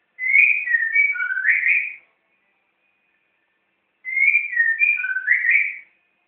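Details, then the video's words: White-rumped shama (murai batu) kept caged in Jakarta, Indonesia, singing on its first day: two near-identical whistled phrases, each about two seconds of sliding, warbled notes, separated by two seconds of quiet. "the longest singing from my murai batu"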